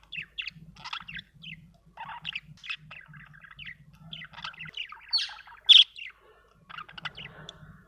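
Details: Budgerigar warbling with quick chirps and squeaky notes, rising to one loud bright squeak just before the end; a faint low hum runs through the first half.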